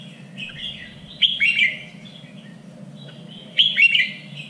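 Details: Training recording of red-whiskered bulbul contest song, the standard three-region voice: two loud warbled whistled phrases about two seconds apart, each with quick up-and-down notes, over a steady low hum.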